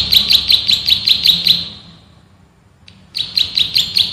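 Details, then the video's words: Male bar-winged prinia, a rice-field prinia, singing master song: a fast volley of sharp high chirps, a pause of about a second and a half, then another quick volley. "MASTERAN BURUNG PRENJAK SAWAH GACOR, NGEBREN TEMBAKAN RAPAT SUPER ISTIMEWAH"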